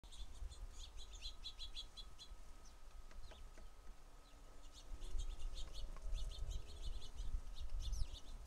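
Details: A large number of house sparrows at a feeder give dense, bright chirps in rapid overlapping bursts throughout, over a steady low rumble and a faint constant hum.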